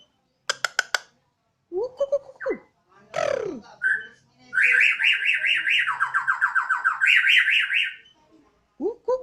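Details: Bornean White-rumped shama, murai odong-odong, a house bird on a terrace, singing with gusto: clipped chips and slurred whistles, a loud descending sweep, then an extended siren-like warble of fast oscillating notes dropping and rising in pitch.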